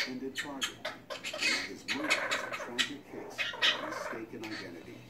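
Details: Captive Quaker parrot saying a bunch of things in a small room: a steady stream of rough, gobbling, speech-like syllables for five seconds, rapid and uneven with louder rasping notes scattered through.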